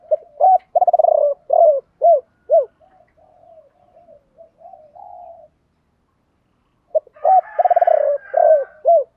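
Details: Spotted dove male and female calls, in the voice styles called thổ bầu and thổ sấm, used to stimulate trained birds to coo. Deep hooting coos come in a rapid run, then softer murmuring notes and a pause, then another burst of repeated coos.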